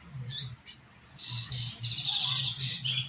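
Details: Coleiro, or double-collared seedeater, singing in the Tui Tui style used to train caged birds: a few brief high chirps, then a dense, rapid twittering phrase sustained to the end, over steady low pulsing thumps.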